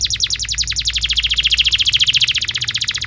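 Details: Tutor recording of a vigorously singing canary for teaching young birds: a rapid rolling trill of bright, high notes repeated steadily throughout, with a slight low background hum.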